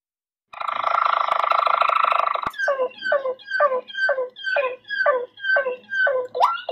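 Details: Malinois Waterslager canary song: a dense, buzzy rolling trill lasting about two seconds, followed by a series of liquid notes that drop sharply in pitch, repeated roughly twice per second.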